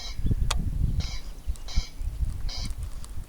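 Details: Corn crake giving harsh, rasping bursts in pairs and singles, each about a third of a second long, repeated roughly every half second to second, over low rumbling background noise.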